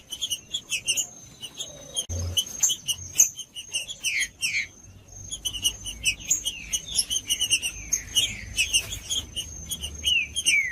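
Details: Judas-style green-winged saltator song used to stir a cold bird into singing. Busy overlapping chirps and falling whistled notes come in bursts, a faint thump near the second second, and a constant high whine behind.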